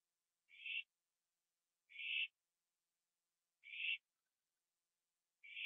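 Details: Night scene from 21 September 2011, owl at a porch finishing a gopher; four short, noisy, hiss-like screeches repeated roughly every one and a half seconds, nothing else audible.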